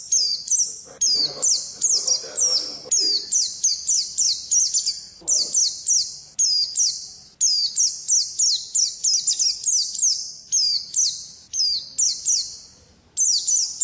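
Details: Oriental white-eye (pleci) singing its ngalas, wild-style song: high, rapid bursts of sharp sliding chirps and twittering notes in quick phrases, almost without pause, over faint low background rumble.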